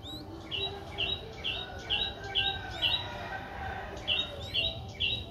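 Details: A 4-day-old Streak-eared Bulbul nestling in Ubon Ratchathani, Thailand, recorded 6 April 2023, repeats high, short chirps roughly every half second, with faint thin whistles above.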